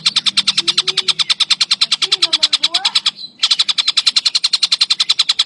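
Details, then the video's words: Kingfisher in full, energetic song: a rapid, machine-like rattle of uniform high clicks that runs on with one brief gap, with soft lower whistles and slides in the background. "TENGKEK BUTO IJO | GACORR"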